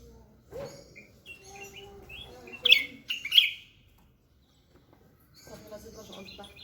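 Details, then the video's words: Bulbul song of scattered short whistled notes with two sharp, loud chirps in the middle, then a pause and softer, varied twittering. "طائر البلبل يتميز بتغريده المتواصل والعذب"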